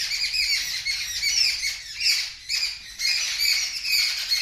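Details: Birds scream loudly after a kitten sees them, producing a shrill, grating wall of overlapping squawks and chirps with brief dips between surges.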